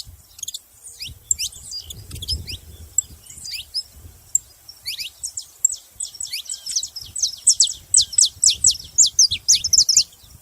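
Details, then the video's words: Saffron finch producing scattered high chirps that build into a quicker, brighter sequence of sharp sweeping notes toward the end, with soft low background noise. "canário da terra fazendo barulho"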